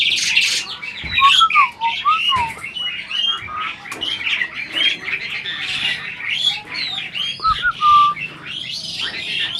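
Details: Adult Asian pied starling kept in captivity, seeming to converse by copying speech, gives a busy mix of rasping squawks and slurred whistles that rise and fall, delivered in quick irregular bursts with brief pauses.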